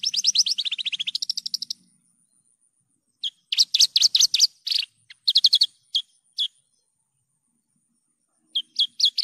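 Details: Javan bush lark in vigorous song in a clean tutor recording, opening with a rapid trill that drops slightly in pitch, then broken groups of sharp chirps with pauses between them.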